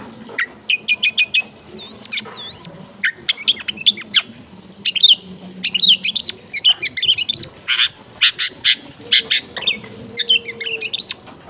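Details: Long-tailed shrike in full, varied song with clear voice, meant to provoke other shrikes to answer: a busy stream of chirps, whistled upslurs, trills and scratchy notes changing every few seconds, steady throughout.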